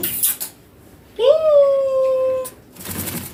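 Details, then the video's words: Pet green Indian ringneck parakeet, a youngster, holding one long, level, voice-like tone for over a second after a brief rustle, in a quiet room. "My Indian ringneck green baby parrot talking beautiful"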